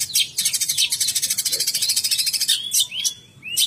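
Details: Long-tailed shrike of the Banyuwangi type pours out a fast, scratchy, high chatter of rapid trills and sharp rising and falling whistled notes, with no other clear sounds.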